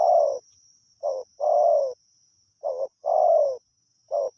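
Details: Spotted dove, a wild forest bird, gives soft, low, hollow coos, alternating long rolling notes with short clipped ones, over a steady high insect whine.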